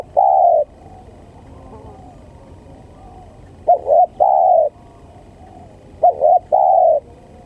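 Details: Spotted dove cooing as a lure sound for trapping. A lone deep coo, then phrases of two clipped notes followed by a longer mellow coo, repeated every couple of seconds over faint rural background.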